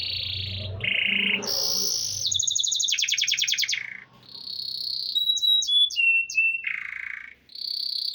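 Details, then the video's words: Copper canary in Nevşehir, Cappadocia, Turkey, delivering a varied song of buzzy phrases, a fast rattling trill, sharp high whistled notes and a descending buzzy note, heard close and clear. "bakır kanarya"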